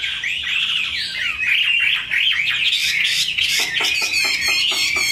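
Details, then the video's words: Caged Chinese hwamei kept as a songbird in Vietnam, delivering a loud, rich run of varied whistled and slurred phrases that swoop up and down, ending in rapid trilled notes, with sharp clicking knocks in the background. "Họa mi"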